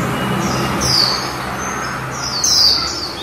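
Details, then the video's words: Female white-eye, called khuyên mái in Vietnamese, singing in the líu style: two thin, high, downward-sliding whistles about a second and a half apart over a steady low background hum. "Khuyên mái líu đẳng cấp THẾ GIỚI"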